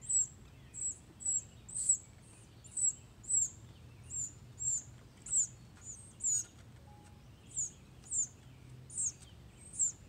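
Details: A red-bellied woodpecker chick being fed by a parent gives very high, thin chirps about twice a second, a steady begging series over a faint low background hum.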